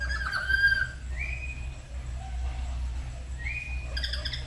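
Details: Pet black-capped lories at home in the morning, a pair duetting as they learn to sing: clear harmonic whistles, one long flat note followed by two rising slurred whistles, with a steady low background hum.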